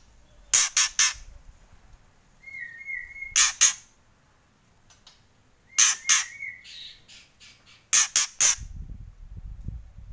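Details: White-rumped shama in kretekan style: spaced clusters of dry, harsh crackling clicks, each group of three to four, with a short soft whistle between some clusters and quiet pauses.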